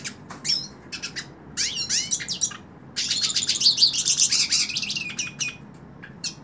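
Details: Hooded siskin singing while held in the hand: rapid high twittering bursts with buzzy trills and upswept notes, broken by short pauses, then a long dense warbled phrase.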